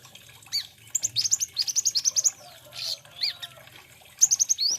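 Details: Olive-backed sunbird song: a fast, even trill of about a dozen bright, high upslurred notes, a brief pause and a few chips, then another rapid burst of the same notes.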